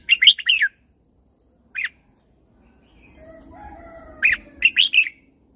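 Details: Red-whiskered bulbul from Thailand, song for training caged birds: a short warbled phrase, a lone sharp note, a soft low whistle, then another fast phrase of several bright notes.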